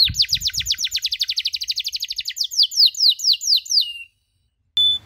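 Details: Canary tutor recording of 'cuit cuit' chirps for young canaries learning to sing: a fast run of bright downslurred chirps, about two per second, slowing into longer swooping notes before a pause and one short final note.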